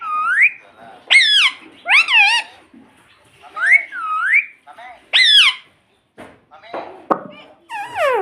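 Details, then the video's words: Pet ringneck parrot repeating "mommy" over and over: clear, squeaky, harmonic syllables that swoop down then up, delivered in pairs and runs with brief pauses, plus a few sharp clicks. "Bolne wala tota || talking parrot || mummy bolne wala tota"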